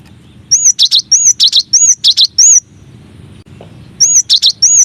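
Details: Cinereous tit masteran song, one of nine variations: high, arching whistled notes alternating with buzzy elements in a run of about six phrases, a pause, then three more.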